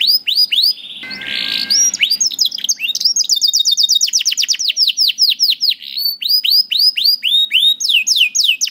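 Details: Canary singing, played to teach juvenile canaries and prompt quiet birds to sing; a brief harsh buzzy burst, then fast runs of repeated downward-sweeping notes and high chattering trills in steady rhythm.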